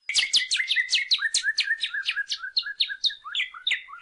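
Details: Saffron finch, locally called canario criollo, singing a fast run of sharp downslurred chips that falls in pitch. The notes come in a rapid, slightly uneven series of about three per second, with a faint trace of room echo.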